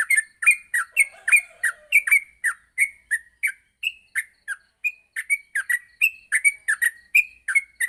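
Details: Yellow-vented bulbul morning training recording for young birds, meant to make them sing quickly in rapid continuous bursts; fast series of short chirpy, slurred notes, about three per second, steadily repeated with a few higher whistled notes.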